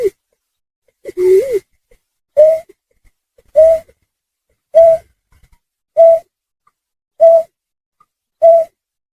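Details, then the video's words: Snipe call used as a hunting lure: an opening pair of lower, rising-falling notes, then a steady series of hollow, hoot-like tonal notes repeated about every 1.2 seconds against a silent background. "Suara Pikat Burung Trinil Sawah_Burcet_Snipe"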